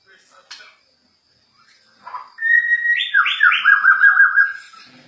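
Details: White-rumped shama, Borneo form, agitated: a soft call, then a loud flowing whistled phrase that jumps high and tumbles down into a quick warbling trill.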